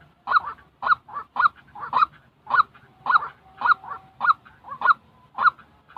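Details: Real white-breasted waterhen call, used for training decoy birds for trapping. Loud, hoarse, honking notes repeat steadily about twice a second in an even, insistent series with no other sounds.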